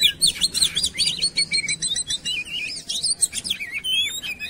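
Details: Oriental magpie-robin lure song for prompting other birds to sing; rapid series of high whistled and chirped notes in short varied phrases, with rising whistles near the end and a faint low hum underneath.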